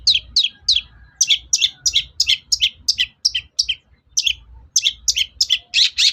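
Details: Long-tailed shrike lure, played to get shrikes singing: an energetic, almost continuous chatter of sharp, slurred high notes, about three per second, broken by a few brief gaps, over low background hum.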